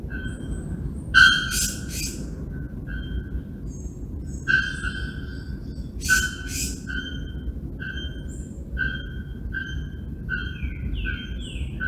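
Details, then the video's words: At Sao Paulo Botanical Garden, Brazil, in August 2024, a Procnias nudicollis bellbird repeats bell-like metallic notes, several punctuated by sharp explosive double clanks, with softer higher slurred whistles from other birds near the end. "Arapongas vocalizando (Procnias nudicollis)"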